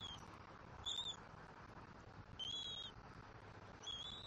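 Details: Bald eagle eaglet at its nest in Southwest Florida, 5 February 2024, excited over a delivered fish: three high, thin whistled calls, each about half a second, repeated roughly every one and a half seconds.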